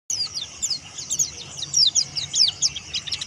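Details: White-eye of the local type called dakun wilis, singing in the teler style to call rivals: a fainter run of quick high twittering chirps and thin sliding notes, densely packed, over faint low background hum.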